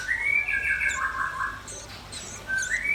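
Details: Red-billed nuthatch and white-rumped shama song: a clear, sustained whistled phrase that wavers and drops, a pause, then a rising whistle. Faint high notes sound in the background.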